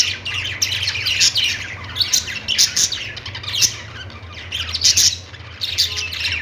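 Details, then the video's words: Budgerigars give harsh squawks and scratchy chirps in clusters separated by short pauses, several birds calling at once, with a soft low hum throughout. "Budgies singing |budgies sounds | parakeet chirping sounds"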